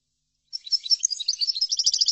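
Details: A European goldfinch's bright, rapid twittering song, recorded for teaching goldfinches, begins abruptly after a brief silence and continues as a dense stream of high liquid chirps that keeps getting louder.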